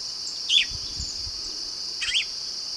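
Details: Marsh-dwelling yellow-rumped marshbird giving two brief, bright, upward-flicked call notes about one and a half seconds apart against constant shrill insect buzzing.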